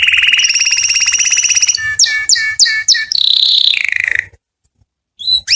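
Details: Canary song for attracting a mate: a steady fast trill, then several separate sharp downslurred notes, a loud high warble, and a brief pause before another note.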